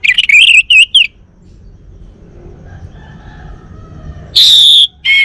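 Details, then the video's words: Male Bali orange-headed thrush kept at home in North Bali: quick wavering whistled warble, silence with a low hum, then a long loud whistle and a brief lower closing note. "Kicau Burung ANIS MERAH Bali Jantan"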